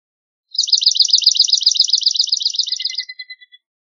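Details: Swamp sparrow trilling a quick, regular series of slurred notes for about two and a half seconds, the song closing with several softer, lower notes spaced apart.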